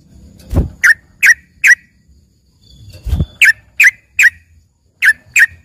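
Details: Trucukan, the yellow-vented bulbul, used as filler song for green leafbirds: brisk runs of three or four sharp chirping notes, each run opened by a dull low thump.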